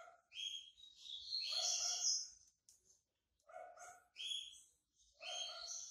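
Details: White-breasted yellow-bellied seedeater coming out of moult; fairly distant, rich warbled phrases with buzzy notes, three bursts separated by short silences, faint low background rumble.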